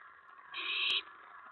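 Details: Owl at its nest during a mouse delivery, 4:46 AM on May 15, 2017: a single harsh, hissing screech of about half a second, noisy and broadband, over a steady low background hiss.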